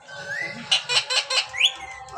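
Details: Parrot voice: a thin rising whistle, then a rapid series of four harsh, raspy squawks, ending in a sharp upward-sweeping whistle.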